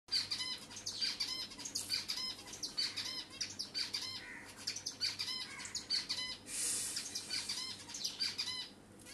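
A zebra finch sings a rapid series of nasal, buzzy notes and sharp chirps, repeated in short phrases.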